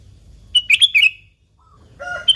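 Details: A single quick bubbly phrase of four liquid notes from a sooty-headed bulbul in gacor song, used as a lure for bulbuls. A brief mixed, harsher sound follows at the end.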